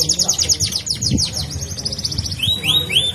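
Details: Canary rolling trill of rapid high falling notes, followed by a few longer rising-then-falling whistles, with faint low background sounds.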